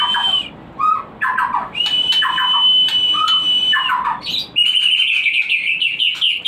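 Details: Breeding-lure song of the white-rumped shama: short burry notes alternating with long level whistles, ending in a quick run of bright, tumbling whistled phrases.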